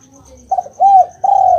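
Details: Spotted dove calling, played to prompt a quiet caged dove to reply: a brief soft coo, an arched mellow coo, then a long sustained coo, with faint regular high-pitched ticking behind.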